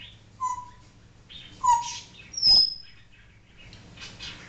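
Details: African grey parrot kept as a pet, imitating barking and assorted noises: short whistled notes, a sharp high falling whistle with a rough burst beneath it, then soft hissing chatter.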